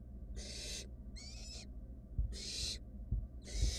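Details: Nestling barn owls in a wild nest box keep searching for food after one swallowed the mouse: four drawn-out, noisy screeches, one with a wavering tone, separated by short pauses over a faint hum.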